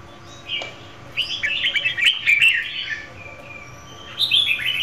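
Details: Female red-whiskered bulbul singing to stimulate a male: a brief note, then a long run of bright, chattering, warbled notes, a quiet gap, and a final burst of sharp twittering phrases over a faint hum.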